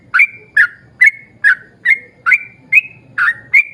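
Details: Yellow-vented bulbul song used as a lure to get other bulbuls singing: nine bright whistled notes, each dropping then levelling off, repeated about every half second over faint low background noise.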